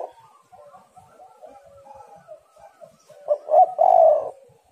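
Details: Calling female spotted dove, a recording meant to lure and excite males: a string of faint, soft, wavering notes, then a loud, stuttering coo phrase ending in a long hoarse note.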